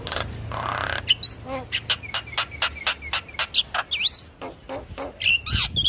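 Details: Lure song of a Javan myna for bringing a silent bird into song: a hissing burst, then a rhythmic string of short clicks and chips broken by twisting whistles and squeaks.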